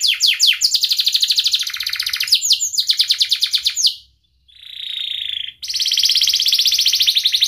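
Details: Young-canary training song from a canary: fast buzzy rattling trills and rolling phrases, then a brief pause, a steady sustained whistled tone, and another dense rapid trill.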